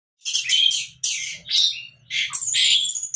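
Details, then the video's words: Young orange-headed thrush learning the 'mabuk' singing style: three rough, buzzy, high bursts, each about half a second long, with harsh scratchy texture and brief gaps between them. A faint low hum runs underneath. "Burung Anis merah muda belajar mabuk"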